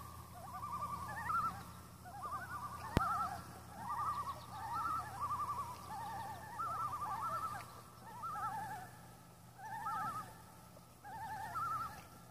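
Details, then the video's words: Seven wild Common loons on Intermediate Lake on August 6 giving wavering tremolo calls, overlapping quavering laughs repeated in bouts around 1k, with steady low background noise and one sharp click. "Loons gone Wild"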